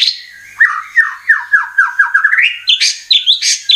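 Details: Oriental magpie-robin song used as a lure to make birds sing: a string of falling whistled notes repeated about three per second, climbing in pitch, ending in higher bright chirps.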